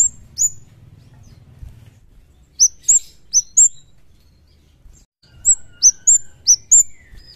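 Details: Javan kemade (cigen) singing energetically, wild-sounding: a shrill descending whistle, then two groups of high, sharp, down-slurred whistled notes, with a faint lower whistle in the background and light low noise.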